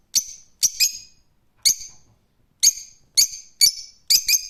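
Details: Harsh, piercing screeches of a rose-ringed parakeet, eight calls in irregular spacing, several coming in quick pairs, each ending in a brief ringing echo.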